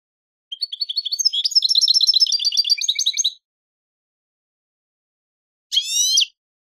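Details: European goldfinch singing, from a song-training tape: a rapid, dense run of twittering, buzzy notes for about three seconds, then a pause and a short burst of fast descending trilled notes; clean, quiet background.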